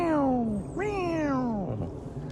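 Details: A Eurasian Jay in a tree on an early morning in early March imitates a buzzard: two drawn-out, nasal mewing calls, each sliding steadily downward, the second starting with a sharp upward flick.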